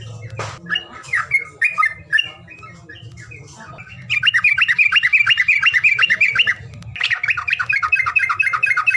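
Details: Bird calls intended to provoke birds that won't sing: scattered squawks at first, then from about four seconds a loud, fast, steady chatter of repeated chirps, about three per second, over a low hum.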